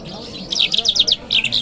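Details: Short lark phrase recorded in Kabul on a Friday morning: a quick series of five or six sharp, descending high chirps, then a brief buzzy flourish after a tiny gap.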